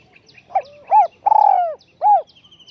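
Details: Spotted dove, a high-voiced bird used as a decoy, giving one cooing phrase: a short low note, an arched coo, a long slurred falling coo, then a final arched coo. A faint high trill from another bird is heard at the end.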